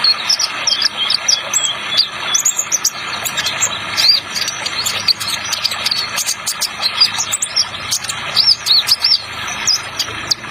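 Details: Spotted ninja sunbird (kolibri ninja trotol) singing a long run of rapid, high, thin chirps and twitters in quick bursts, set against continuous running-water noise.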